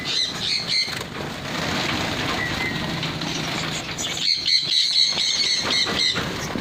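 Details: Pin-tailed parrotfinch: a few high chirps at first, a stretch of rustling background noise, then a renewed burst of sharp, high repeated notes about four per second over the last two seconds.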